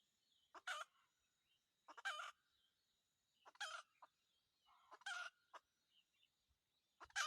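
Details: Red junglefowl rooster, a decoy for wild junglefowl hunting, giving five brief harsh bursts spaced about one and a half seconds apart over a faint continuous high hum.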